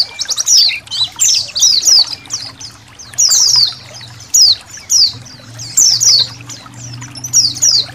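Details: Indonesian white-eye flock with trickling water behind it. Shrill, falling chirps tumble out in uneven clusters, while the water adds a soft, steady babbling underneath.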